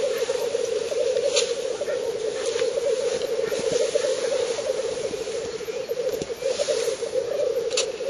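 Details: Courting black grouse at a lek in northern Finland on the eve of May Day 2011, filmed at 50 to 70 metres with a Fujifilm camera; an unbroken, warbling low bubbling chorus with scattered short sharp hisses over eight seconds.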